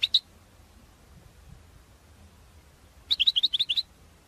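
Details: Goldfinch lure calls known as batbata, meant to attract goldfinches for trapping; a pair of high chirps, then silence, then a quick, even string of about eight sharp twittering notes.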